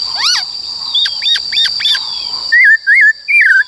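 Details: Forest-style singing from a white-cheeked laughingthrush, used to train wild-caught and young birds. Faint chips and thin notes at first, then three loud wavering whistled phrases, all over a continuous high electronic whine.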